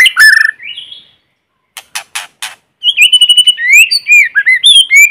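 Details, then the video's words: White-rumped shama singing in forest, a lure bird recorded without background noise: opening whistles, a few dry clicks, then a fast varied run of clear whistled and warbled notes. "Tiếng chim Chích chòe lửa mồi hót kích bổi không tạp âm | White-rumped Shama singing in forest"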